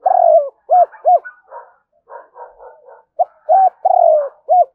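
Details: Spotted dove used as a decoy, calling in the morning with the hai hậu đôi ending: a long hollow coo and two short arched notes, softer scratchy fragments in the middle, then the phrase returns with paired closing coos.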